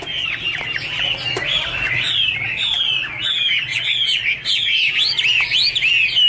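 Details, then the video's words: Chinese hwamei, angry and dancing while it sings, in the song named Iron Ax Blade Cut Wood: rapid arched whistles in quick series, getting louder and more forceful toward the end. "Angry Birds Dance and Sing| Iron Ax Blade Cut Wood| Bird Chinese Hwamei 2017"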